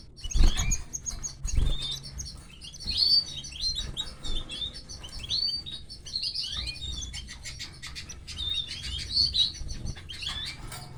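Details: Busy, excited high chirping from canary chicks being fed by the female canary, dense and overlapping, with rustling, clicks and two loud knocks near the start.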